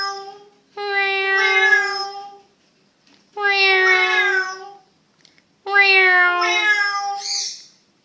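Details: Two parrots playing at an exotic bird hospital, vocalizing in three long, tonal, voice-like phrases of a couple of seconds each with slight wavering pitch, ending in a brief higher squawk.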